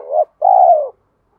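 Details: Spotted dove fight-provoking call heard close up: a brief rising note, a short gap, then a long, even coo that drops away at the finish, followed by silence.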